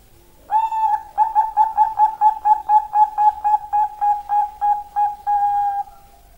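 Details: Zebra dove of Bangkok type, prized for its sweet opening notes, giving a rapid series of about twenty soft, even cooing pulses on one steady pitch, ending in a longer held coo.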